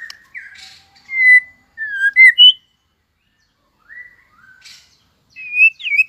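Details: Competing song of a White-rumped shama just coming into form: clear slurred whistles around mid-high pitch, separated by pauses, with brief harsh buzzy notes and a final rising whistled phrase.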